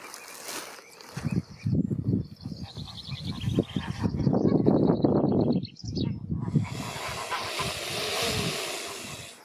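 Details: Mute swans hissing while being fed alongside their cygnets: rough, breathy, broadband hissing bursts that swell and fade over several seconds, with a thin line of high peeping chirps above them and some background noise.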